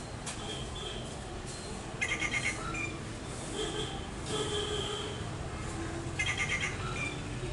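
Rufous Treepie giving two bursts of harsh, rattling notes about four seconds apart, with a fainter call between them over a steady low background rumble.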